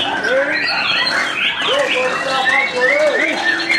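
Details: White-rumped shama in its first training session after moulting, singing a rich, varied string of clear whistles, some rising and some falling, low and high in turn, with murmuring voices and small chirps behind it.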